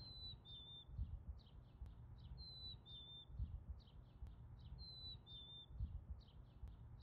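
A chickadee whistles a clear two-note phrase, the second note slightly lower, repeating about every two and a half seconds with soft chips between, over a low rumble.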